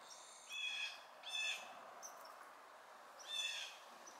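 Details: Fledgling blue jays picking around; three harsh, nasal calls with stacked overtones, each about a third of a second, two close together then a pause before the third, over a faint steady background hiss.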